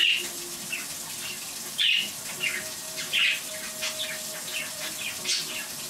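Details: A pet budgerigar giving short, bright, scratchy chirps at uneven intervals about a second apart while a water animation plays, over the steady hiss of running water.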